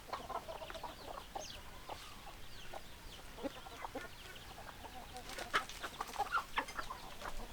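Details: Several hens cluck in short, scattered, nasal notes over steady background hiss, with a denser burst of overlapping clucks near the end.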